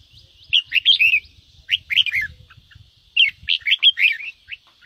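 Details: Three short bursts of cheerful warbled notes from a Red-whiskered bulbul singing ché style, each phrase of four to six quick rising-falling notes, low rumbling noise and a steady high tone behind.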